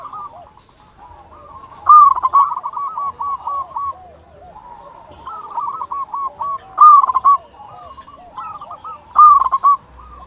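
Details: Zebra doves of a local strain singing to stir others into calling: several birds overlap in continuous trilled runs of short coo notes, with louder bursts standing out.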